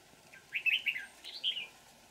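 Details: Wild old red-whiskered bulbul, a bell-voiced bird caught using a decoy on 20 December 2018, sings a lively warbled phrase of quick slurred whistles, then a pause and a higher, falling whistled flourish.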